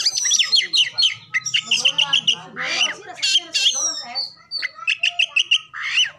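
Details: Lure song of an Oriental magpie-robin, said to include fills of kapas tembak, cucak ijo, jenggot, cililin and canary; dense varied whistling, rapid repeated clear notes and rich warbled phrases almost without pause.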